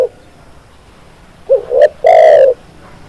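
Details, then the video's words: Spotted dove song used as training audio for kept birds. One complete phrase is heard: a short throaty note, a rising coo, then a sustained, rich, hollow coo, followed by near silence. "SUARA BURUNG TEKUKUR"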